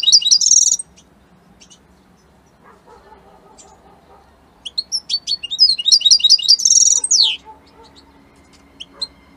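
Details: European goldfinch of Italian type, kept by a breeder, giving short bursts of tinkling twittering song at the start and again midway, with faint low household noise in the pauses.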